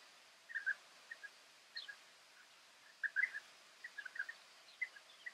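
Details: Several European bee-eaters calling in the Camargue, France, May 2018: soft, liquid, rolling notes in irregular clusters, with overlapping birds giving a loose chattering flock sound against quiet background.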